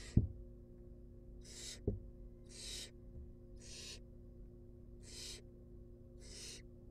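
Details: Wild barn owl nestlings being fed in a research nest box give loud, breathy hissing screeches about once a second, with a couple of sharp thumps near the start and a low steady hum beneath.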